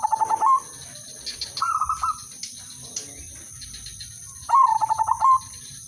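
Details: Zebra dove (perkutut/merbok) of the udanmas silver line, singing a melodious rhythm used to prompt other zebra doves to sing. Three short trilled, bubbling coo phrases, each under a second, over a steady high electronic whine and faint background chatter.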